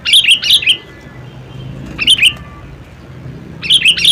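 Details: Sooty-headed bulbul giving short bubbly phrases of two to four chirped notes, with gaps of over a second between them and a faint low hum behind.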